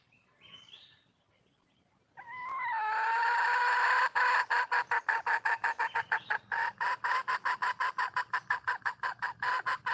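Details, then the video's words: Female red junglefowl, a wild hen, calling for a male. A loud, sustained, harmonic tone runs for about two seconds, then breaks into rapid, evenly pulsed notes for the rest of the clip. A faint, higher call comes before it. "le bruit d'une poule sauvage,เสียงไก่ป่าร้องหาถู่หาตัวผู้,ສຽງໄກ່ປ່າຮ້ອງຫາຄູ່ຮັກ, poj qaib qus see"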